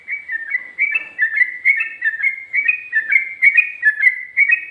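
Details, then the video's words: Yellow-vented bulbul giving ngikluk song, from 2020, with ngGARUDA phrases also mentioned: a continuous chain of liquid two-note whistles, up and down, repeated roughly twice a second without pause. "Burung Trucuk Ropel,ngikluk...ada ngGARUDAnya juga"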